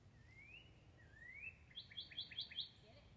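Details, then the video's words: Cardinals chirping calmly outdoors under a view of sky and trees: two soft rising whistled slurs, then a quick series of five sharp, evenly spaced chip notes, faint against quiet background noise. "Calm Chirping of Cardinal Birds"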